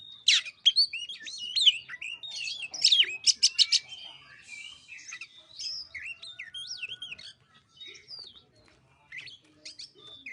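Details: Oriental magpie-robin song played as a lure to coax a bird that is reluctant to sing: a rich, rapid run of whistled slurs, sharp upswept and falling notes and brief buzzy trills, densest in the first four seconds, then softer scattered phrases.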